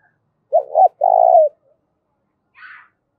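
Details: Spotted dove with a 'giọng thổ pha' voice, its call meant to spur fighting: a brief two-part coo, then a sustained throbbing coo falling at its close, with a faint higher buzzy sound about a second later.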